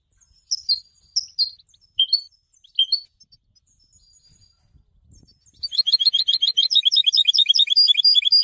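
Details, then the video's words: Goldfinch used for song training, singing: a few separate sliding chirps at first, then after a pause a fast, dense run of high twittering notes repeated rapidly to the end. "Golden songs for goldfinch voices"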